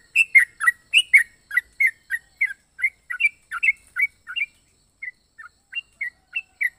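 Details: Yellow-vented bulbul with an unusual, varied voice: clipped, bright chirps that start in quick harsh clusters, then become sparser, softer single whistled notes with slight rising and falling inflections.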